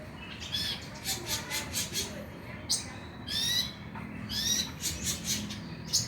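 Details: Konin played to make the bird sing at night: a rapid train of high, buzzy chirps, then several sweeping, down-slurred high notes and scratchy bursts.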